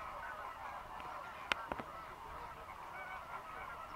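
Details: Greater flamingos, a flock of over 6000 dry-season migrants fishing in the lagoons of Mannar Island, Sri Lanka, in rainy weather: a continuous murmur of overlapping nasal honking calls, with a few sharp clicks near the middle.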